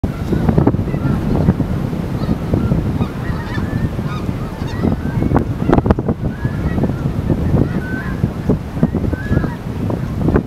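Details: A large flock of snow geese (Anser caerulescens), among some 10,000 geese and ducks on winter migration at Merced Wildlife Refuge, gives scattered nasal honks partly buried under heavy, steady wind rumble.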